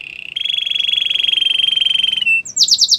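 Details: Belgian canary holds a long buzzy rolling trill at a steady pitch for about two seconds, then breaks into a few quick, loud descending whistles.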